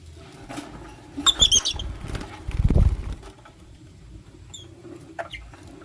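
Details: Lutino lovebird chirping while one male chooses between two females: a quick burst of sharp, high, stacked chirps, then a loud low rustle like wings flapping, followed by a few faint scattered chirps.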